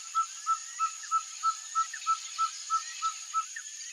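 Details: Ferruginous pygmy owl (Glaucidium brasilianum), known in Brazil as caburé, singing: a steady series of short, clear, even-pitched whistled toots, about three per second, a dozen in all, over a constant high hiss of insects.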